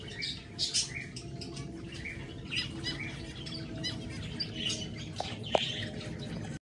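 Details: Zebra finches give short, nasal chirps and squeaks scattered irregularly, with Gouldian finches mixed in, over a steady low background rumble.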